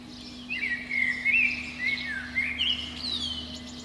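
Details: A Eurasian blackbird sings from a pine top under a window at dawn in spring, giving one continuous run of rich, looping, flute-like notes over a faint steady drone.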